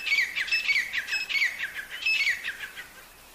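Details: Wild partridges in the jungle, said to look very healthy, give rapid scratchy calls laced with clear high tones: two quick bursts of notes separated by a short gap, trailing off at the end.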